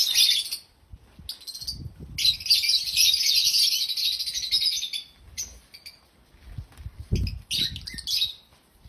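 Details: African lovebirds, happy and chirping loudly, give one sustained three-second burst of harsh, shrill chatter, then shorter sputtering bursts, with occasional low knocks between them.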